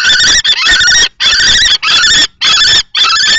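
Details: Two male common kestrels, one young in juvenile plumage and one older adult, clash over a nest box at Théding, France, 20 March 2024. Six long, rasping, harsh screaming bursts come in quick succession, separated by short gaps.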